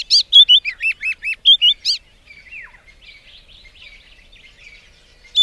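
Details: White-browed scrub robin gives a brisk two-second burst of clear whistled notes with sharp high accents, followed by soft scratchy twitters and a brief descending note before another phrase starts.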